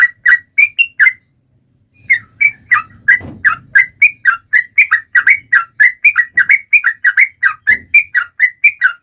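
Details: Sooty-headed bulbul song meant to get other birds singing: a few whistled notes, a two-second pause, then a long fast run of short chirpy whistles, with faint low thumps in the background.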